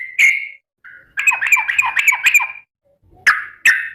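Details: Sooty-headed bulbul calling to companions, with a single chirp and soft note, a quick rolling warbled phrase, then two sharp chirps close together.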